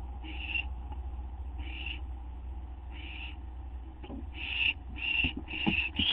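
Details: Owl getting a gopher or vole treat at 12:38 AM on 8 September 2011: slow breathy hisses become a rapid, louder string of rasping bursts near the end, mixed with clicks and scuffling sounds.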